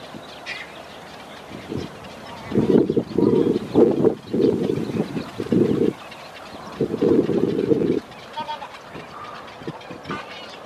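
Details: Nesting egrets at a lake in Newark, California, in late March 2015, give harsh, low, croaking squawks in bursts of about a second, several in quick succession, with faint higher chatter from other birds; egret.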